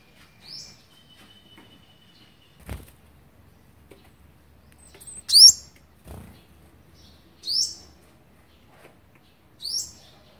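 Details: Olive-backed sunbird in Thailand on 27 November 2019, on the eleventh day of feeding young, gives four high, sharp, down-slurred chips about two seconds apart, with a few soft thumps between them.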